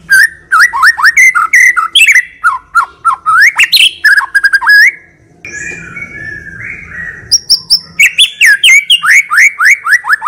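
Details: Selected white-rumped shama in energetic song with rich fills, kept as a singing lure. Dense quick whistled upslurs, a rough harsh section, then more fast rising whistles repeated in series.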